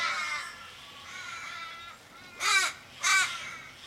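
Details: Australian ravens in Kellyville, Sydney, on 1 July 2012, gathered around a raven dying in the street. Faint distant caws give way to two loud, close, harsh calls just over half a second apart.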